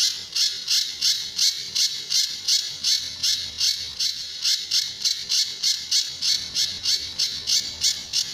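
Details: Pijantur or Sunda bush warbler, recorded as a master for teaching other birds, with tembakan and besetan styles: a long, steady run of about twenty-five harsh, scratchy high chips, roughly three per second, over a quiet background.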